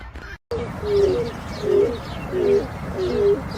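Grey crowned crane giving low, hollow honking hoots, each slightly rising then dipping, repeated about every three-quarters of a second.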